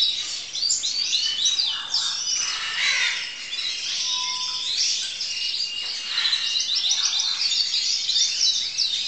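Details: Song of a student crested canary, 2012: loud, varied high twittering broken into bursts, with a brief lower whistled tone in the middle of the phrase.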